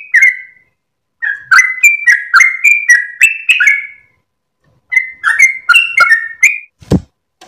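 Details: Sooty-headed bulbul (trucukan) singing a long rapid 'ropel' song at dawn while wagging its tail, used for training cage birds; short clear whistled notes slurring up and down, a pause near one second, then a dull thump at the end.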